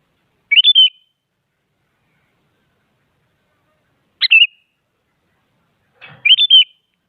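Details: A sooty-headed bulbul gives short, cheerful whistled phrases meant to goad other bulbuls into singing. There are three brief bursts of quick bubbly notes, widely spaced, the middle one shorter.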